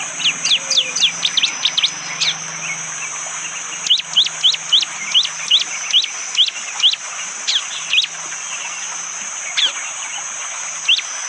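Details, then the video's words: Hard, sharp 'tembakan' song of a bar-winged prinia, taped by Android phone in morning forest near Wonocoyo Village, Panggul, East Java, Indonesia: quick runs of steeply falling high notes in several bursts, over a continuous insect hiss. "Tembakan burung prenjak jali!! bikin murai BATU langsung emosi !!"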